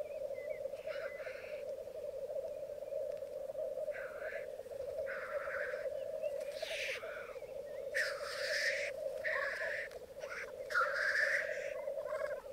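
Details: Twelve black grouse cocks and two hens lekking on a Mykland bog one May 2022 morning: repeated explosive hissing sneezes, growing denser toward the end, over the constant low rolling bubble of the flock.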